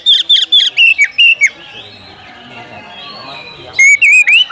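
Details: Oriental magpie-robin calling for a fighting opponent. A run of quick, high, falling whistles is followed by a lull of soft background noise. Another short burst of loud whistles closes the recording.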